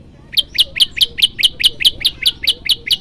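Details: Loud prenjak lumut song in the 'tembakan' style: a steady run of sharp, high chipping notes, about two per second, each note clean and emphatic, over quiet background hiss.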